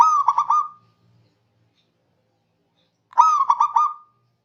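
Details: Local zebra dove in full voice, calling rivals: a cooing phrase of a rising note then quick staccato rolled coos around one pitch, heard twice about three seconds apart, with silence between.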